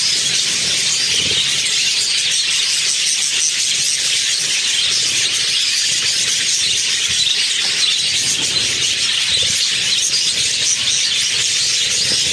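Budgerigars keep up a dense, high-pitched chatter of warbles and squeaks without a pause.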